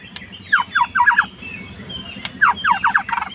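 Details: White-rumped shama fighter bird singing to provoke a rival: two brief bursts of quick downslurred whistled notes, about five each, separated by a short silence, with a steady low hum.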